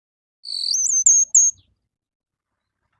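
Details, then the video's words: Orange-headed thrush song recorded in the morning and used as a lure to get captive birds singing: one clear, high whistled phrase with gliding, slurred notes, followed by two short bright whistles, then silence. "PANCINGAN ANIS MERAH DI PAGI HARI AMPUH BIKIN IKUT BUNYI!!!"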